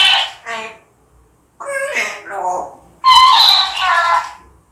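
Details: Angry pet African grey parrot in Korea, reportedly upset by a spotted calf, voices several rich, nasal, speech-like phrases with falling tones, then a loud harsh outburst in a quiet room.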